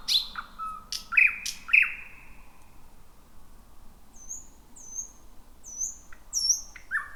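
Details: Thrush nightingale at night in a bushy, jungle-like spot, first song of 2026: a few loud slurred notes at the start, a pause, then soft distant high whistles sliding downward.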